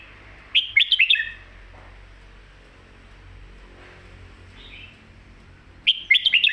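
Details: Caged Red-whiskered bulbul singing a full, rapid song meant for tutoring chicks: two bursts of quick, sharp whistled notes about five seconds apart, with a brief soft whistle and low hum between.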